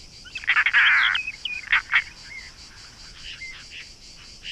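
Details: European roller, one of a pair nesting in an artificial nest box by the office of Shirvan National Park, Azerbaijan, May–June 2013: a loud, harsh, rasping burst lasting nearly a second, then two shorter grating notes, with faint chirps afterward.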